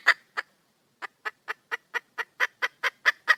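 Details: Female junglefowl calling for a male: two clucks, a short pause, then a steady series of clucks about four per second that gradually grow louder.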